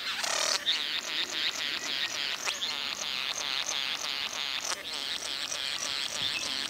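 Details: Courting satin bowerbird giving a sustained, mechanical-sounding whirring buzz, pulsed several times a second, opening with a louder rasping burst and continuing almost without pause.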